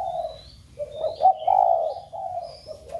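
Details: Spotted dove cooing to trigger cooing in home-kept doves: low, gently wavering coo notes, a quick looped note and a loud drawn-out coo, with high whistled calls from other birds behind.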